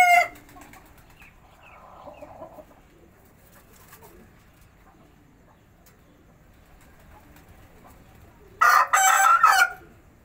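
A pigeon gives a harsh, crowing burst that sounds much like a bantam rooster.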